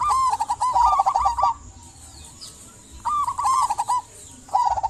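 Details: Local zebra dove singing to coax silent doves into song: two rapid, bubbling coo phrases separated by a short pause, each of fast mellow pulsed notes, with a low background hum.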